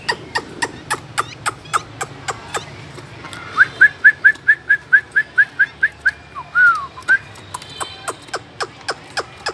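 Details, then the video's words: Caged Chinese hwamei singing a run of about a dozen short, clear whistled notes at an even pitch, then a lower slurred whistle, over steady loud rhythmic clicking. "chú họa mi hót như này"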